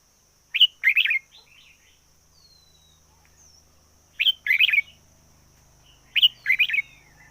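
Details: Red-whiskered bulbul decoy bird singing fiercely: three loud, bubbling phrases, each a sharp opening chirp and a rapid run of rich warbled notes, come roughly every two seconds, with thin whistles between and a faint low hum.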